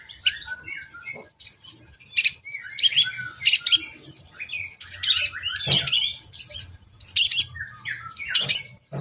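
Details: Long-tailed shrike song used as a lure for other shrikes, in a toet toet style joined with rich fill-in phrases: rapid, varied high chirps and squeaky twitters in dense bursts, with occasional sharp clicks.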